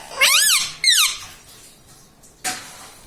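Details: Pet ringneck parrot in a small room giving two loud arched, whistled word-like calls in quick succession, then a short harsh noise and quiet room sound.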